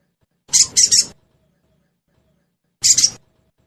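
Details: Lure sound of a sogon, used to get kept birds to start singing: a rapid triple burst of high, harsh chirps, then a pause and a double chirp. There is no other sound.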